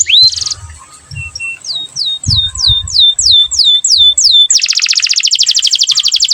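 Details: Canary singing with rich melodic turns as tutoring and prompting song for young learning canaries; a rising note and short clicks precede a row of downward-sweeping whistles, then a very fast, dense buzzy roll.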